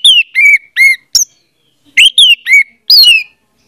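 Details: Song of an orange-headed thrush used as a lure for a silent bird: clear, sweet whistled notes, each sliding downward, given in two groups of four with a short gap between, with a sharp high note among them.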